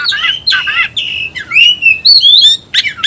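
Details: A white-rumped shama calling a rival to fight, mixing buzzy scratchy notes with clear sliding whistles and a final pair of sharp chips.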